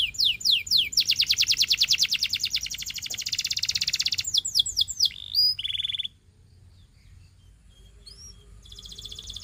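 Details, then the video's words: Belgian singing canary singing: quick descending sweeps lead into a long, dense rolling trill, then slower chirping notes. After about six seconds the song breaks off and only a few faint, scattered chirps follow. "A Special Canary to Seduce All The Canaries - The Belgian Singing Canary"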